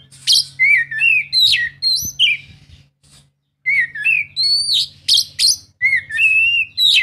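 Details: Oriental magpie-robin song played to coax a lazy bird into singing: bright, varied whistled phrases with sharp upslurs and rolling notes, a short gap near the middle, then more loud song over a low steady hum.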